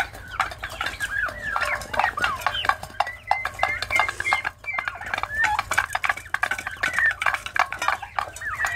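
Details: A dense chorus of turkey chicks, many thin peeps and trills overlapping continuously with barely a pause, some clear level whistled notes mid-way, over a low steady hum.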